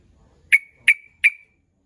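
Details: Sooty-headed bulbul lure call meant to provoke rivals: three sharp, emphatic notes with short ringing tails, evenly spaced about a third of a second apart, in silence.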